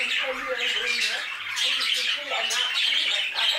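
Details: Budgerigars in an aviary chatter loudly with squawky, grating notes over a constant high warbling background.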